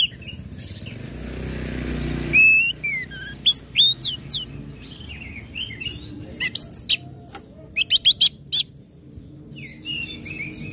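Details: Orange-headed thrush in ngecip, ngecit, ngeplong style, a lure for other birds to start singing; a soft low rumble first, then varied whistles, quick sharp ticks repeated in a run and a long falling whistle.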